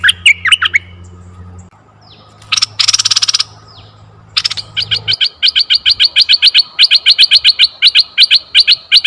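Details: Red-eyed bulbul calls used as a lure for bulbuls: a few opening chirps, a brief harsh noisy burst, then a long, rapid series of crisp, high chirps repeated several times per second.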